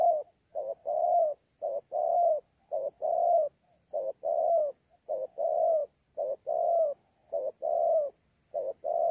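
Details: A newly caught spotted dove cooing in the thổ pha style during a challenge bout, Sa Thầy, late November 2019. A steady run of paired coos, each a clipped note followed by a longer rounded one, repeats about once a second.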